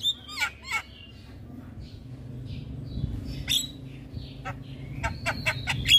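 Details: Javan myna (jalak kebo) singing to set off other mynas: scattered sharp squawks and brief falling whistles separated by pauses, with a soft, steady low hum beneath.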